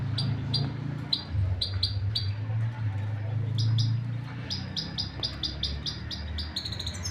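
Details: A canary sings quietly behind a loud low hum, giving crisp high notes repeated about four times a second, spaced at first and then in a faster run.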